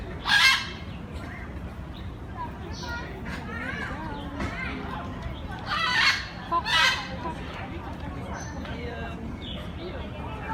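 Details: A captive rhinoceros hornbill at a breeding facility gives loud, harsh honking calls in a few bursts, with thin whistles from other birds and a steady background hiss.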